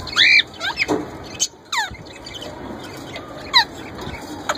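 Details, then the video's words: Young male plum-headed parakeet attempting speech and ringneck parrot mimicry, giving a loud harmonic squawk followed by scattered downslurred chirps and thin squeaks over a steady hiss. "My Young Plum Head Male trying to Talk & Copy Ringneck Parrot voice"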